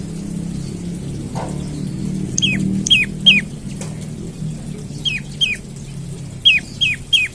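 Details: Olive-backed tailorbird giving its morning call, used to coax other birds into song. Quick downslurred whistles come in rapid pairs and triplets, about nine notes in five seconds, over a low background hum.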